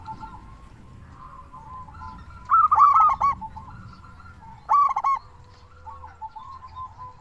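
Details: Local zebra dove singing strongly, used as a lure for other doves: soft low coos at the start, then two emphatic stuttering bursts of coos about two seconds apart, followed by quieter rolling trills.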